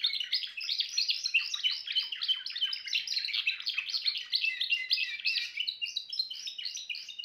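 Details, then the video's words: Singing Timbrado canary delivering a dense, unbroken stream of fast rolling trills and chattering notes, high and bright throughout, with no other sounds. "meilleur chant canari l chant canari timbrado"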